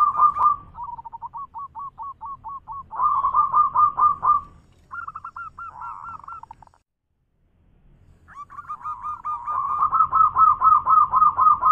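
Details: Local zebra dove giving a loud manggung song: runs of quick, hooked cooing notes roughly two per second, broken by short pauses and a brief silence before the series resumes strongly.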